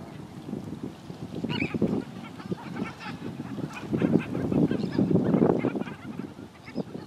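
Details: Flock of black skimmers gathered with gulls and sandpipers on the Tampa Bay shoreline at St. Petersburg, Florida; a dense, overlapping chorus of short, nasal, barking calls rising and falling in loudness, several per second.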